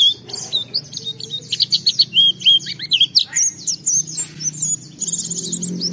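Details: Oriental white-eye singing in the forest-style 'ngalas' manner, a lure for other white-eyes: busy, high-pitched twittered phrases of bent whistles and chips, briefly pausing near the end before resuming with fast buzzy notes.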